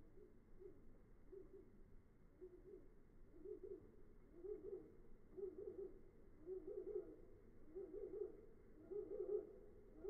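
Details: A sogon bird being lured on a mountain gives low, hollow hooting notes in short doubled or tripled bursts about every second, growing louder toward the end over a faint steady hiss.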